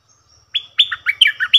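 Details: Cream-vented bulbul, 18 June 2021, doubled song style: a short high whistled lead-in, then a fast jumble of warbling chirps stepping up and down in pitch.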